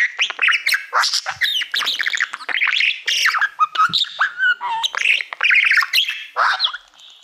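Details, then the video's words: Pet budgerigar, a male, singing to a reflective silver award plaque he treats as a mirror: dense chattering warble of rapid clicks, buzzy notes and short whistled slides, continuous over several seconds. "Budgie singing to Youtube Playbutton"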